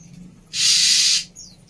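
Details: Female Oriental magpie-robin, its sounds played as therapy for a bird whose song has stalled, delivers a long, loud hissing rasp of about two-thirds of a second, followed by a short faint chirp.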